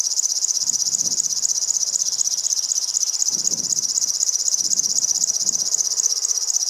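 River warbler delivering its steady, insect-like song: a high, dry buzzing pulsed about four times a second, with faint low rumbles in the background.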